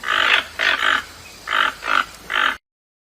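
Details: In the Amazon rainforest, a toucan gives a run of five harsh, grunting croaks, each clipped and rough, spaced about half a second apart.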